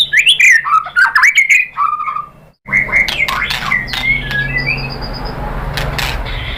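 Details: White-rumped shama lure song used to goad other shamas into singing; quick rich whistled phrases, then a short silence, followed by softer whistles and chatter over steady background hiss.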